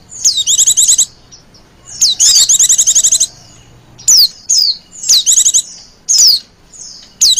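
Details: Recording meant to draw in wild white-eyes: rapid high chattering trills alternate with clear downslurred whistled notes, phrases about a second long.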